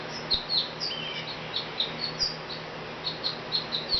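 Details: Sparrow on a back porch calling busily: quick high chirps repeated in loose bursts, roughly one every second or two, faint low hum underneath.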